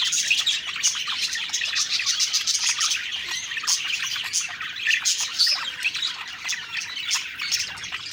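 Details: Several budgies singing while eating, lively unbroken chatter of high chirps, short trills and scratchy warbling notes from the whole flock.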